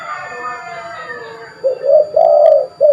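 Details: Spotted dove, a prolific caller used to lure birds, delivering a rhythmic series of low, throaty coos in the second half: a short note, a long rolled note and a clipped ending, after quieter tonal background sounds.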